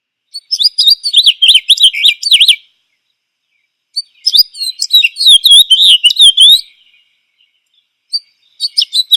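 A House Finch sings a rapid, jumbled warble of high, bouncy notes in two long bursts, then starts again; no other sounds.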